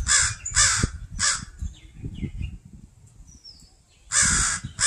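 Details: Crow parents defending a fledgling in a yard with pine trees scold a person: three harsh caws, a quiet stretch with low thumping and rustling, then two more loud caws.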